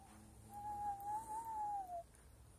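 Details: An owl gives one long, smooth, hollow hoot lasting about a second and a half, mid-pitched, wavering slightly before dropping away, on a cool (+7°C) evening, 19 March 2020 around 18:55, as other birds fall silent.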